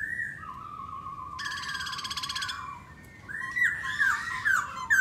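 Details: Black laughingthrush singing and dancing: a long level whistle gives way to a buzzy, rapid rattle, then harsh, sliding notes that grow louder toward the end.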